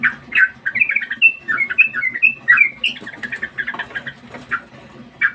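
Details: Sooty-headed bulbul, known locally as trucukan, kept as a trial bird, singing a lively series of short whistled and warbled notes, some rising slurs, tumbling quickly, with a low rhythmic hum underneath.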